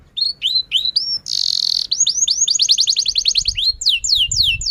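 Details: Canary song meant to stimulate young and reluctant canaries to sing: upswept whistles, a harsh buzzy burst, then a long rapid trill of rising notes ending in descending slurred chirps.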